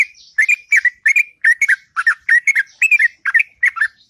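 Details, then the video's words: Morning ngropel song of a sooty-headed bulbul, long and melodious: a steady string of chirpy, liquid whistled phrases, each a quick rising-and-falling couplet, repeated about three times a second without a break. "Burung Trucuk Ngropel Panjang & Merdu Di Waktu Pagi"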